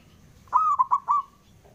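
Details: Local male zebra dove giving its challenge call to draw a rival's reply: one clear phrase, a drawn-out mellow coo followed by three short, quick cooing notes, over faint low hum.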